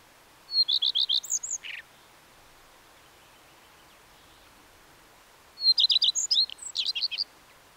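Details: Two song phrases of a Common redstart about five seconds apart, each opening with a brief high note, then a run of quick repeated ringing notes ending in a jumbled, twittering flourish with a lower rasping note.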